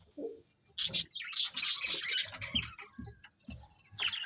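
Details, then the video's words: Colourful budgerigars in a colony giving a loud burst of high scratchy chirps, then softer short notes over faint low knocking sounds. "Cute Colourful Budgies Chirping Sounds | Budgies Colony"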